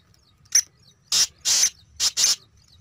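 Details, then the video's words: Black francolin calling: five harsh, scratchy, high notes within about two seconds, one short note followed by four longer rasping bursts, over a faint low rumble. "kala dase teetar"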